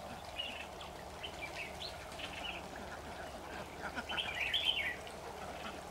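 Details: Red-whiskered bulbul used as a lure bird at a trap, recorded 26 September 2019; scattered faint chirps early, then a brighter burst of quick, bubbly warbled phrases near the end over a steady low background hum.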